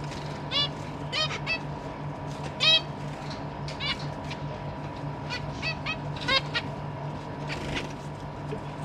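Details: Caged zebra finches, parents and newly fledged young, 12 December 2023: many short nasal calls repeated irregularly from several birds, some loud and close, over a persistent low hum.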